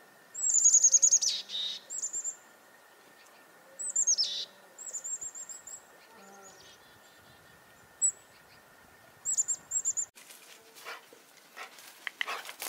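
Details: Chickadee alarm calls set off by a nearby goshawk at a farm in February 2021: short bursts of thin, high, slightly descending notes near the start, around four seconds and near ten seconds, followed by rustling noise.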